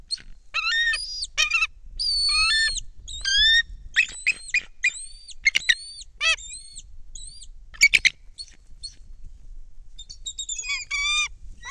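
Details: Bald eagle at a Kisatchie National Forest nest, nest cam recording from 10 December 2023, foreign female bringing a fish, second eagle in the air; long series of high, thin whistled chitters and descending squeals, some sharp clicks near the end.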